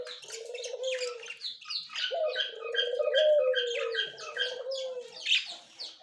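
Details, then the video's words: White male and yellow-green female budgerigars, October 30, 2024, giving a quick stream of buzzy chirps and squeaks in rhythmic runs, with a low wavering tone running beneath most of it. "Australian bajri parrot"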